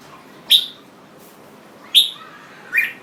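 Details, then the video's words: Singing jambul bird giving three separate short, bright, upslurred chirps spaced over about two seconds, each sharp and clear against a quiet hissy background. "Jambul Bird Singing"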